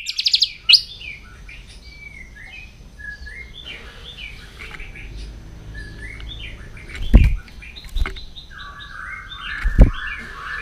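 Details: White-rumped shama in morning voice training: scattered whistled phrases and short warbles, separated by a few loud thumps, closing with a long, level, fluting whistle.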